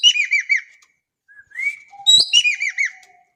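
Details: Vocal Javan kingfisher in Indonesia gives three clipped, harsh downward-curving notes, a long rising whistle, a sharp click, then another loud rapid run of descending chattering notes.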